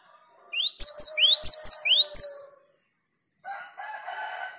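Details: Rapid string of rising whistled notes, each ending in a high piercing chip, from a cinereous tit (gelatik batu) on a lure recording meant to trigger 'ngerol' singing. A faint low hum runs underneath, and a rough noisy sound follows the phrase.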